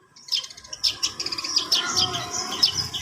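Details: Long-tailed shrike learning to sing: a continuous stream of high twittering and scratchy notes that run together without pause, over a faint low hum.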